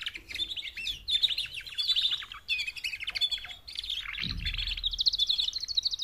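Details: Mating call from four female canaries, used to spur males into louder singing: continuous rapid high trills and buzzy rolling phrases with hardly a break, plus a single dull low thump midway.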